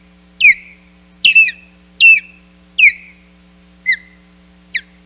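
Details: Osprey at the Hog Island nest on 10 July 2021, calling during the fourth showdown of the day: loud, whistled chirps that drop sharply in pitch, six calls spaced about a second apart over a steady low hum.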